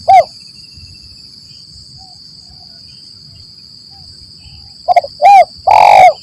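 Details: Spotted dove trapping-lure call: one short hoot opens, then after a long quiet stretch comes a phrase of two quick notes, a hoot and a long, loud coo, with a constant thin high whine underneath.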